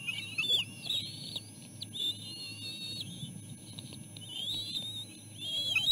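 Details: Feeding time for three bald eagle eaglets in their nest; sustained piping whistles, high and slightly wavering, in long phrases with short gaps, accompanied by a faint low hum and occasional taps.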